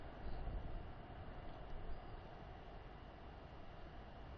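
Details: Low rumbling noise like wind buffeting a microphone, louder in the first two seconds, with no animal sound heard.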